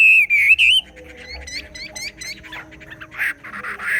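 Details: Chinese hwamei, xòe-style singing: two loud wavering whistles open, followed by quieter scattered notes and softer rough phrases.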